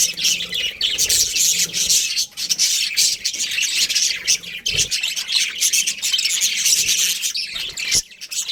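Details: Breeding pair of budgerigars chirping: dense, rapid high-pitched chatter and warbling runs almost without pause, with short scratchy notes and brief dips in loudness around two and eight seconds.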